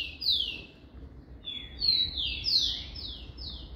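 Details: Caged rufous-collared sparrow singing the song style locally called "Jesus meu Deus": clear, high whistled downslurred notes, an opening pair, then after a pause a run of five or six descending slurred whistles, over faint low background hum.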